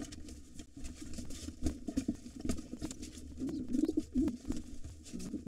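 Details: Wild pigeons scuffling at an occupied nest with two nestlings as a white father drives off a gray intruder. Muffled rumbling coos build toward the middle-late part, with shuffling noises and a steady low hum.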